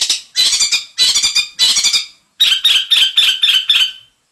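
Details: Long-tailed shrike (cendet) with its 'isian mantan' fill, uttering a series of raspy squawking bursts, first four broad chatters, then six quicker grating notes with a faint whistled edge.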